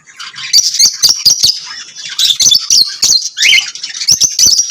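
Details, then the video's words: Lovebirds singing and chirping: a dense, continuous stream of shrill high twitters, squeaky whistles and sharp clicks, overlapping and chattering without pause. "Lovebirds singing and chirping sounds"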